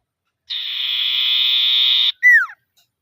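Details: Lively iora calling against rivals: a drawn-out, flat, slightly rasping note lasting over a second and a half, closed by a short, bright whistle dropping in pitch. Nothing else is audible.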